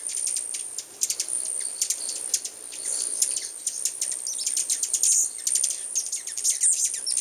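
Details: Many hummingbirds gathered in full force at a new home, giving rapid, sharp, high chips and ticks in irregular bursts over a steady high insect-like whine.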